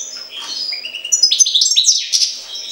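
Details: European goldfinch linked to Jagodina, singing a fast, high twittering phrase of rising slurred whistles and buzzy trills that grows louder toward the end; a faint steady low hum sits underneath.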